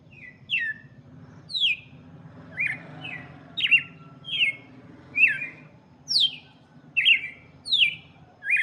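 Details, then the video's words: Red-cowled cardinal singing a lot for chicks: steady series of clear, down-slurred whistled notes, about one each second, some starting high and sweeping lower, with a soft low rumble underneath. "Galo de campina cantando muito"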